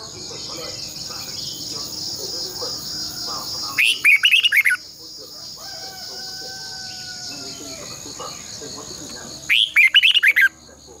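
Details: Training-decoy song of a caged red-whiskered bulbul, twisting double voice: two rich bursts of chirping, looping whistles about six seconds apart, with a constant high hum and faint other bird tones between.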